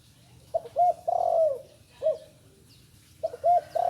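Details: Young spotted dove that has only just begun to call. Repeated low cooing phrases: short looped notes lead into a sustained, slightly wavering coo, then a single clipped note and another phrase starting. Steady low background hum.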